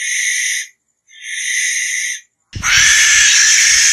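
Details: Barn owl: two rasping, hissing bursts of about half a second each, then a harsher, broader screech beginning near the end.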